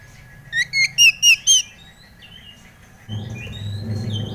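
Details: White-rumped shama song played as a lure for a young bird: five loud, ringing whistled notes in quick series, then soft thin whistles over a rising low hum.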